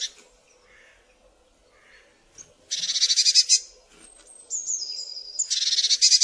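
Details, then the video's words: Calls of a Eurasian blue tit: quiet opening, then a dense buzzy churr, a thin high descending whistle run, and another rapid rasping trill to close. "Odgłosy sikorki modrej"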